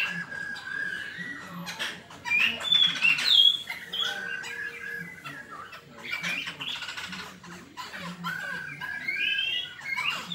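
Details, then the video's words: Black-throated laughingthrush giving a fighting song: varied clear whistles and slurred notes, some rising and falling, mixed with harsher squawky phrases. A steady low hum runs beneath. "Khưu mun hót đấu"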